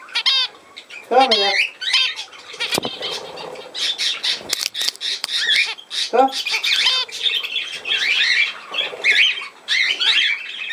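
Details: Budgerigars, 17 November 2024, in a room, giving sharp squawks and looping whistles, then steady chattering twitter, with some clicking sounds mixed in.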